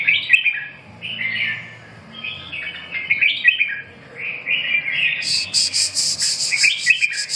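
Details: Red-whiskered bulbul warbling in repeated, bouncy phrases roughly every second. Near the end comes a fast series of very high, sharp ticking notes.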